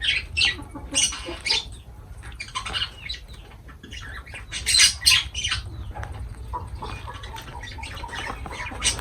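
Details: Lovebirds at feeding time give scratchy, high squawking notes in loose bursts, louder clusters near the start and middle, then softer scattered chatter.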